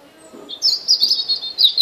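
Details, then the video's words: A European robin sings a brief, high, thin phrase of rapid tinkling notes that waver slightly in pitch, over a little low background rumble. "Κοκκινολαιμης. Robin Singing"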